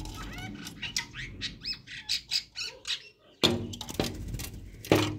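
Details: Early-morning chestnut-tailed starlings calling to each other: a run of short, rising squeaky notes repeated about once per half second, followed by several loud harsh bursts and rustling.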